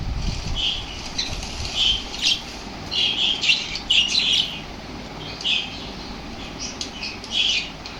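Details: Active lovebirds reacting to lovebird sounds make scattered, piercing chirps and short squawks, busiest in the middle, with quieter stretches between bursts.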